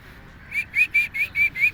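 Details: Two Alexandrine parakeets walking in a park; a rapid run of seven short, clear, slightly rising whistled notes, evenly spaced and growing louder, over a quiet background.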